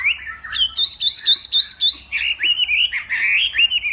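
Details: Morning song of a Hwamei, northwest Vietnam type, in a singing contest: quick repeated whistled notes rising and falling, about three or four per second, then smoother wavering whistles.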